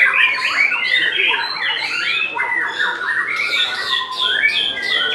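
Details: Captive white-rumped shama singing at a main-class bird song contest in Semarang, Central Java, 3 July 2022; dense run of rapid whistled and chattering phrases, sliding up and down, with other contest birds audible around it.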